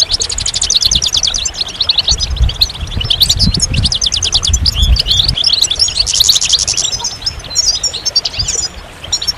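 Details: Goldfinch singing a fast, liquid twitter of high chirps and rattling trills, with low thumps and rustling heard beneath the song in the middle.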